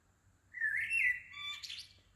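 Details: Small bird singing early in the morning at Shah Jahan Mosque, Woking, on 15 June 2020: a bright, slightly rising whistled phrase that breaks into fast, high twittering notes, in a quiet setting with a low background hum.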